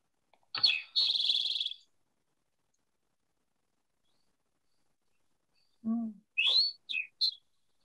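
Eastern Towhee sings a sharp high note, then a fast buzzy trill, the classic 'drink-your-tea'. A few more short high notes and a lower note follow after a pause.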